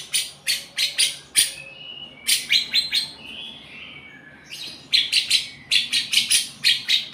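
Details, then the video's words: Lovebird performing a cucak jenggot imitation: bursts of loud, rasping chirps in quick clusters, broken by a soft slurred whistle passage mid-phrase before the chattering resumes. "love bird rasa cucak jenggot"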